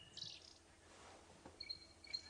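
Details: Stierling's wren-warbler calling on a morning safari drive, 29 July 2016. It gives thin, high notes: a brief buzzy burst, then two sharp whistled notes about half a second apart, over faint background hiss.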